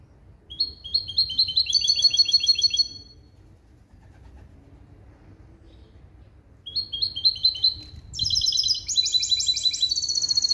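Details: Caged male goldfinch × female canary hybrid trained in limpio goldfinch song: two bursts of fast, bright, ringing trills separated by a few seconds of quiet, the second running into a denser, higher warble.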